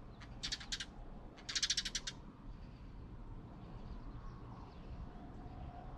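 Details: Birds at a feeder in Korea that had fallen after a rainstorm, one bird feeding another; two quick bursts of rapid, high chirps in the first two seconds, then only a low rumbling background.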